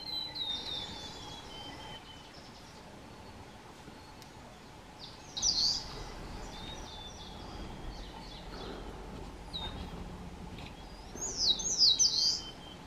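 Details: Blue-and-white flycatcher pair perched together with beaks full of green caterpillars as the chicks fledge, late May 2020, Shuhogahara, Kobe, Japan. Sparse high chirps, with two brief bursts of sharp notes near six and twelve seconds over steady background hum.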